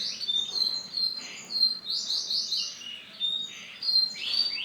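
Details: Male canary of silver colouring singing bright high phrases, clear whistles alternating with fast runs of repeated chirpy syllables, each phrase separated by short gaps.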